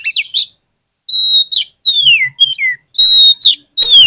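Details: Oriental magpie-robin lure song meant to stimulate lazy birds to sing: loud, ringing whistles, several sweeping downward, interspersed with flat held notes and short twitters, closing with a harsh burst.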